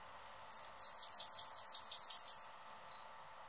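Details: Male Anna's hummingbird guarding his favorite feeder perch, recorded close up: a rapid series of high, sharp chips, about a dozen in two seconds, followed by one short isolated chip; quiet background.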